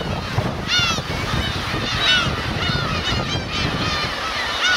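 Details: Black-tailed gull family group, adults and chicks, Kurosaki coast, Teuri Island, Hokkaido, Japan, 13 June 2021. Sharp bursts of nasal, downward-bending mewing cries, several birds answering each other, with surf beneath.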